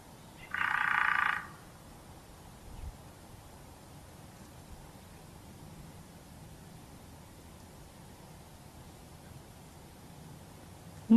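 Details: Hairy Woodpecker drumming, recorded in Kentucky, typical of woodpeckers: one fast, even roll lasting about a second, followed by long quiet with faint background hiss.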